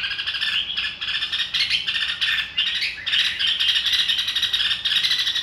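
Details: Red-whiskered bulbul singing a continuous run of chattering, warbled whistles without breaks, dense and somewhat harsh, with a faint low hum underneath.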